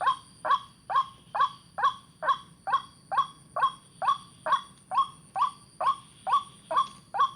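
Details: White-breasted waterhen giving a steady series of harsh, croaking mid-pitched notes, about two per second, each with a sharp onset and short fading tail, evenly spaced over a faint low background hum.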